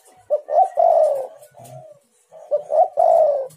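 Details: Spotted dove call used as a lure to provoke other doves into calling: two short coos then a long, slightly falling coo around mid pitch, the phrase given twice in quick succession, clear and close.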